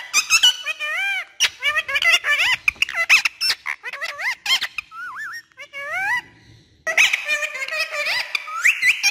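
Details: Green ringneck parrot speaking Urdu and Hindi words, a tame talking bird: bursts of high, nasal, speech-like phrases with wavering pitch and sharp squeaks, a brief quiet gap, then another rapid chattering run.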